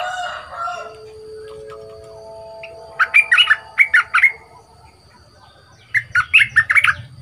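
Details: Two-month caged bulbul in decoy training with a strong voice: soft sliding whistles open, then a run of loud, clipped, repeated chirping phrases, and after a pause a second similar burst.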